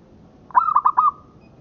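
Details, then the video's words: Local zebra dove (perkutut lokal) for song training: one phrase of four quick bubbling notes that run into a short sustained coo, clear against quiet. "Suara Perkutut Lokal Buat Masteran"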